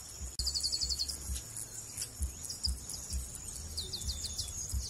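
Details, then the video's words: High trilled bursts from a Brazilian chestnut-capped blackbird: a fast string of repeated notes early on and another short run near the end, over a steady shrill tone and dull low thumps. "Brazilian birds sounds - Amazon birds - Garibaldi Bird - Chrysomus ruficapillus"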